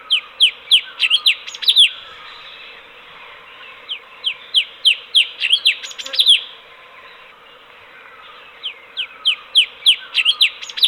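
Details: Sooty-headed bulbul (cucak cungkok), a bird kept at home as a master bird, delivering quick series of sharp downslurred whistled notes, about three per second, in bursts with a pause between them over a steady background hiss.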